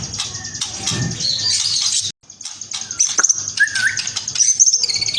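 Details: White-rumped shama of the spotted form, singing with varied whistles and chattering phrases; a rising-falling whistled slur near the end, with a brief silent gap midway and a noisy background.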